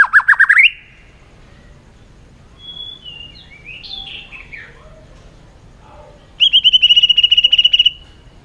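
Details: White-rumped shama singing competitively: a quick rising trill opens, then quiet scattered warbles, and a bright steady whistled note with rapid pulses near the end.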